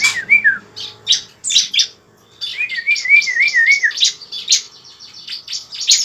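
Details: Bar-winged prinia fighting song used to prompt a kept bird to fight and sing: a wavering thin whistle, then scattered sharp chirps mixed with a longer rippling whistled phrase and a faint background hum.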